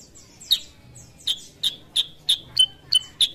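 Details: Kutilang sutra, the sooty-headed bulbul, in lively song: spaced sharp chirps every third of a second, some with a short flat whistled tail, over a faint low hum.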